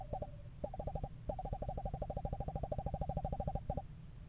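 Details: In November a pair of Eastern screech owls checks out a house in a yard; one gives a steady, rapid, tremulous trill of evenly spaced pulses for about two seconds, after shorter starting bursts, over low rumble.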